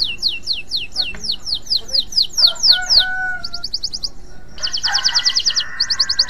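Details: Male canary in breeding mood sings a run of about fifteen sharply falling whistled notes, then short rapid buzzy trills broken by brief pauses. A faint steady tone is heard behind.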